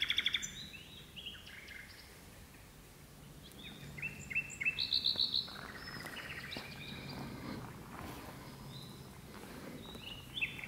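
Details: Hidden in birch bushes at twilight, a common nightingale sings, one of two birds. Scattered high whistles lead to a rapid, sharp repeated-note burst near the fifth second, then quieter varied phrases.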